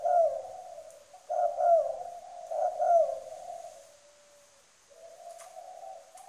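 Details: Trained spotted dove decoy from Trà Vinh, Vietnam, giving strong coos: several loud, accented low coo phrases in quick sequence, then a quieter, drawn-out tail of softer cooing.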